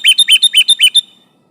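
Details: Sooty-headed bulbul calling an opponent while singing eagerly, a lure for other bulbuls: a rapid run of about seven bright, slurred chattering notes in one second, strong and clear, then quiet.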